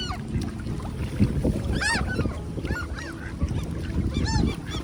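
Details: Ducks being handfed on a windy June day at Tveitevannet in Bergen, Norway: several short, arched, harmonic squealing calls in quick bursts over a steady low rumble of wind.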